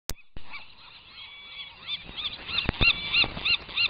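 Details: Rhinoceros auklet chick, still downy, out of its burrow flapping its wings before fledging on Año Nuevo Island in 2013, gives high, arched, squeaky peeps about three a second, some overlapping; a couple of sharp knocks behind.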